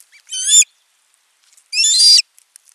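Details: Osprey at a man-made nest in the Satakunta region of western Finland on 15 June 2024, as the male brings food for his chick: two short, shrill, harmonic chirping bursts about a second and a half apart, otherwise quiet.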